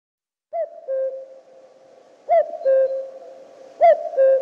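Common cuckoo giving its classic two-note 'cu-coo', a higher note then a slightly lower one, repeated three times about every one and a half seconds.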